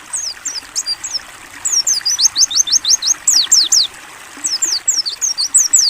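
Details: Training song of a Mountain white-eye, ngalas open-beak style: jerky phrases of high thin whistles, mostly falling, some rising, strung into a fast run of about ten notes mid-phrase, with gentle running water behind.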